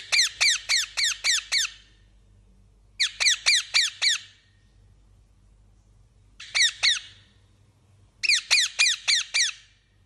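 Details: Parakeet chirping in rapid bursts of five or six bright, downward-sweeping notes, with four bouts separated by pauses of one to two seconds.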